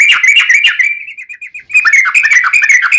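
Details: Yellow-vented bulbul song for training caged birds: quick chattering warble, a string of soft, fading slurred notes, then the fast, bubbling chatter resumes.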